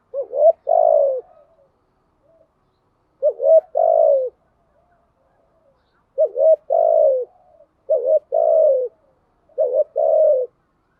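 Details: Spotted dove coos used as bait for wild doves, thúc gù and gáy gọi styles: paired low notes, a short rising coo followed by a longer wavering one, repeated in quick pairs with short pauses.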